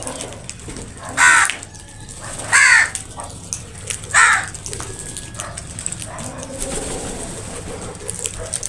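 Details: Crows in a dangerous fight over food, calling loudly: three harsh, raspy caws spaced about one and a half seconds apart, then fainter calls and low rumbling background noise.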